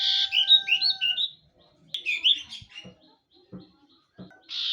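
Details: Cipoh, or common iora, singing quick twisting whistled phrases, a rapid chirpy series that breaks off and resumes, with faint low clicks in the background.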